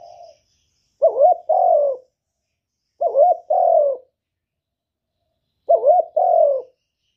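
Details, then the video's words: Cooing male spotted dove urging a female to lay. Three matching phrases, each a quick wavering two-part note and then a longer falling coo, come about every two and a half seconds with silence between. "Tiếng chim cu trống kích mái mau đẻ"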